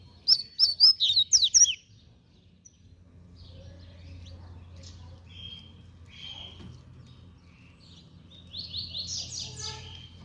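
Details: Double-collared seedeater giving a fast song: a burst of loud, sharp, high whistled notes in quick succession, then a quiet spell with faint chirps before a second run of rapid high notes near the end.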